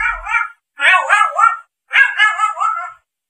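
A grey parrot gives three warbling, wavering calls, each under a second long, with rough, almost voice-like tones that rise and fall.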